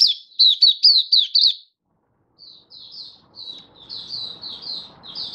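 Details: Hobby oriental white-eye singing, recorded 24 February 2023: a fast run of loud, sharp, down-slurred notes, a short silence, then softer, thin, high twittering phrases over a faint low rumble.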